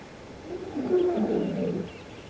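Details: Goliath heron at Lake Panic near Skukuza, Kruger National Park, frightened after losing its catch, head and neck feathers raised; one deep, harsh, rasping croak lasting about a second.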